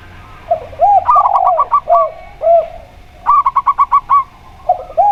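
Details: Local zebra dove (perkutut lokal) with a clear, open voice, singing two bursts of rapid, bubbling staccato coos. Each burst holds about six to eight notes. Lower arched cooing from a dove in the same recording, sung against it, falls before and between the bursts.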